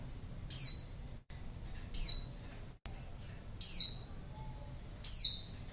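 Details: A female white-eye calls to lure males: four shrill, thin notes, each dropping quickly in pitch, at uneven gaps of roughly one and a half seconds.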